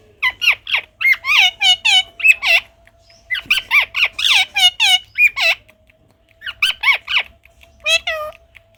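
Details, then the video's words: A parrot chattering in three bursts of rapid, warbling, speech-like syllables. Each burst holds several quick harmonic squawks, with short pauses between bursts and a faint steady hum underneath. "পাখিটা কি বলছে আপনাদের একবার শুনুন | parrot"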